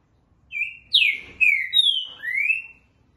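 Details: Green-winged saltator, called trinca-ferro verdadeiro, singing in the styles known as dobra and boca mole: a short phrase of loud, clear slurred whistles, some falling and one rising, about five notes within two seconds, against a quiet background.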